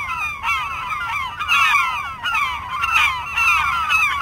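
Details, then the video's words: Gulls calling: loud, laughing series of downslurred, yelping notes, several birds overlapping in repeated bursts, little background noise. "Martı Sesleri | HD Martı Bağırma Sesleri - Martı Cıvıldama Sesi - Komik Martı Sesleri"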